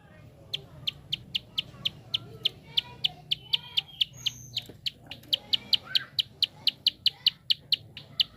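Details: Prinia giving a quick clicking call meant to stimulate other birds to sing: a long string of crisp high ticks, speeding slightly, with a brief high whistle midway and low background rumble.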